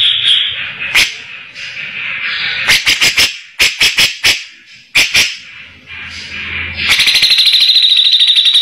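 Grey-cheeked bulbul giving sharp, high clicking notes in quick bursts, then a fast run of harsh chattering notes near the end.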